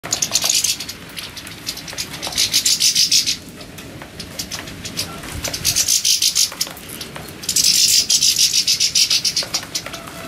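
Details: Several Siberian goldfinches singing: high, buzzy, tinkling twitters in bursts of two to three seconds, separated by short gaps, with a rapid chattering rhythm throughout.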